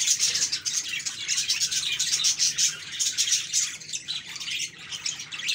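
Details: Budgerigars chatter softly in a group, rapid high twittering and scratchy warbles flowing continuously, with occasional squawky notes.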